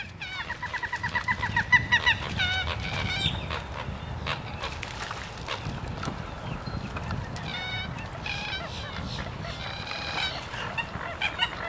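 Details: Two pairs of American coots fighting on a Florida park lake in March, kicking at each other in the water; harsh, rapid clucking and sputtering calls in quick bursts, with splashing and a steady low rumble of water or wind.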